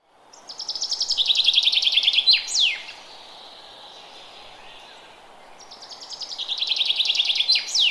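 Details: Forest birds chirping: a bird sings a fast, even series of high, bright notes that swells over about two seconds and ends in sharp downward slurs, then repeats after a pause, over steady broadband background hiss.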